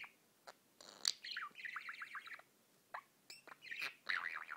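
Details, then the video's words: Pet budgie singing and tweeting: scratchy chattering warble mixing clicks, buzzy trills and short sliding whistles in bursts, with brief pauses between phrases and a faint background hiss. "singing and tweeting"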